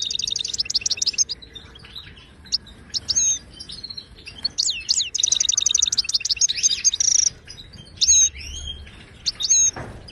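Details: Wild Moroccan European goldfinch singing in the Ouidani style, offered as a teaching song for caged birds: quick repeated chips, a buzzy rattling trill, a sustained ringing note, then spaced sharp whistled phrases.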